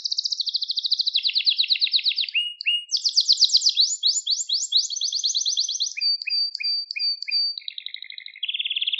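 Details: Canary song for training young birds, a kızıştırma (stimulating) recording: fast rolling trills that jump between high and middle pitch, then short clipped notes and a few pure whistled tones, ending in a steady buzzy roll. No other sounds.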